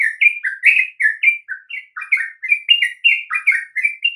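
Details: Sooty-headed bulbul song for encouraging other birds to sing: cheerful, liquid whistled notes in rapid rising-and-falling pairs, loud and clean throughout, with no background noise.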